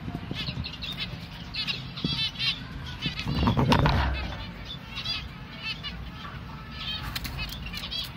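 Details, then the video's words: Young finch begging while hand-fed: quick series of high, arched chirps in bursts, with a loud low thump of handling midway and constant background rumble. "Hand feeding... 🐥 Baby finch"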